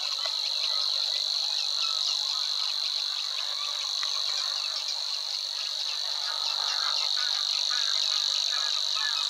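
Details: Savi's Warbler reeling in Overijssel marshland by the Weerribben, Netherlands, May 2022: an unbroken, high-pitched mechanical trill like a cricket, with busy scratchy song of other marsh birds mixed underneath.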